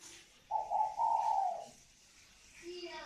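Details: Pair of spotted doves of the northern Vietnamese type, voice style called còi vang, kept at a bird garden in Ba Vì, Hanoi; a single mellow two-part coo phrase, with a faint low note near the end and light background hiss.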